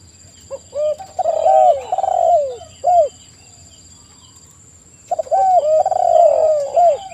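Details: Spotted dove (tekukur) cooing in two bursts of low, hooting, downward-curving notes separated by a silent gap of about two seconds, with a thin steady electronic tone behind.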